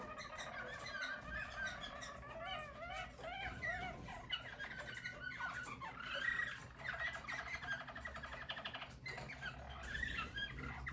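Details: Harz German Roller canary, yellow bird recorded in 2022, delivering a warbled song of repeated looped notes and rolling trills over faint background noise.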